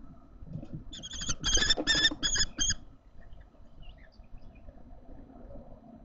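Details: Common kestrel nestlings in a Théding nest box, 1 July 2024, following the adoption of a fallen chick. Five harsh, rasping, harmonic calls come in quick succession, then fall silent, leaving low rustling and a steady hum.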